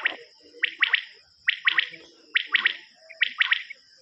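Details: Common quail from a quail-hunting cassette recording, giving crisp three-part calls, each a quick trio of sharp notes, repeated roughly every 0.9 seconds. A steady high-pitched whine runs underneath.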